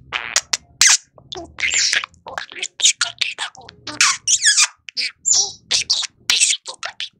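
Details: A male pet budgerigar from a bilingual household chatters in a fast, raspy stream of high, clipped syllables, mimicking speech and compliments to itself as it woos a toy football; nothing else is heard.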